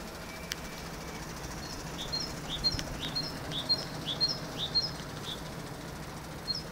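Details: Great tit song of repeated two-part phrases, a short rising note followed by a higher sharp note, delivered steadily about twice per second over faint background hiss, with one sharp click near the start.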